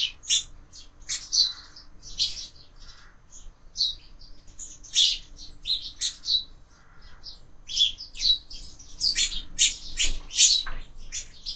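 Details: Breakfast at a window-mounted feeder where sparrows are fed all year; lively flock chatter of high chirps and tweets, irregular bursts building into dense clusters toward the end, faint low hum underneath.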